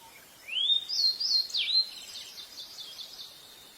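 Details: Pied bushchat singing: one rising whistled note, then a quick, high, sweeping warbled phrase lasting about a second and a half. Soft fading trills follow over steady background hiss.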